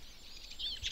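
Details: Eurasian siskin song in spring forest, Berezinsky Biosphere Reserve, Belarus, where flocks roam alder and birch woods: a brief burst of high, wavering twitters sliding up and down over a soft low outdoor hum.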